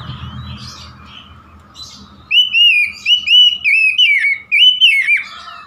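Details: Oriental magpie-robin singing a rich series of loud, clear whistled phrases, each rising then dipping and repeated about three times a second, after a quieter opening with a few soft notes over a low hum.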